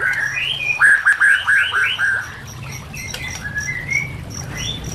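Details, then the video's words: White-rumped shama song used to train or lure shamas, with nature sounds and trickling water: a burst of repeated looping whistled notes, then slower rising clear whistles over a background hiss. "Murai Batu Langsung Merespon Dan Ikut Bunyi"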